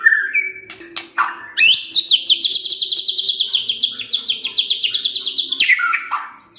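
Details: White-rumped shama, played as a lure recording to provoke other shamas into singing: clear whistled phrases open and close a long, rapid run of sharp repeated chips at a steady pace, over a faint low hum.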